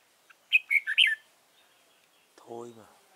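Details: Red-whiskered bulbul decoy bird used for trapping, Dong Nai, 15 November 2017; a quick phrase of four warbling whistled notes, followed after a pause by a brief low human voice.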